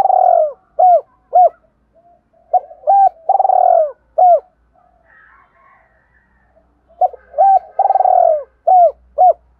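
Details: Lure recording of a spotted dove: repeated phrases of short hooped coos plus a longer burry trilled coo, given in bursts with quiet pauses, low and mellow throughout, a faint low rumble in the background.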